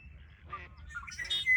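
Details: Red-winged blackbird at Ridgefield National Wildlife Refuge, 20 February 2025: a brief burst of harsh chipped notes, then a rising buzzy phrase that ends in a clear high whistled tone, over a low background rumble.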